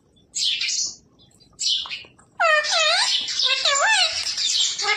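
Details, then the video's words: Indoor talking parrot repeating Hindi phrases after its owners. Two short hissy notes are followed by a continuous run of high, wavering, speech-like syllables with looping pitch contours. "इंसान की तरह बोलने वाला अद्भूत तोता🥰parrot talking radhe radhe"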